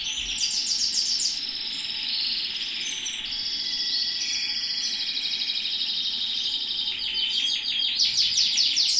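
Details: Canary held in the hand, singing a long unbroken high-pitched song of rapid trills, rolling warbles and buzzy passages, ending in a fast staccato rattle of repeated notes.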